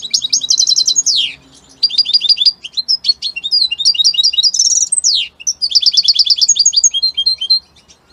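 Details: Italian goldfinch singing strongly: continuous high, tinkling twitters with fast trilled runs, buzzy notes and sweeping downward slurs, delivered in several tight bursts separated by very brief breaks.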